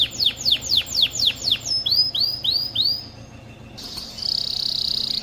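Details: Male canary sings a rapid series of high, sharply falling whistled notes, softer upslurred notes, then after a brief pause a dense, buzzy rolling trill, a song used to stimulate mating.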